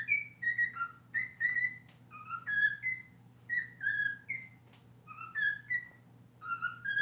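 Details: Pet cockatiel singing a learned scream song and honking copied from people, indoors; clear whistled phrases rising and falling, in bursts of several notes with short pauses, over a steady low hum.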